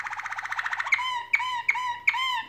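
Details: Canary singing during nest building: a quick pulsed trill gives way to a series of loud, sharp notes that each drop in pitch. The notes are spaced roughly every 0.4 seconds.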